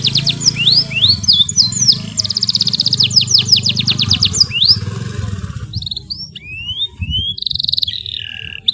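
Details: Canary in energetic long song, a master for young birds: fast trilled phrases and upslurred whistles over strong low droning background noise, followed by quieter separate whistled notes.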